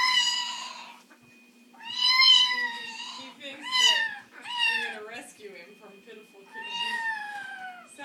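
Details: Amazon parrot kept caged indoors, complaining at bedtime by mimicking a cat: a series of five loud, wavering meows, some falling at the end, with soft chatter between them and steady room hum.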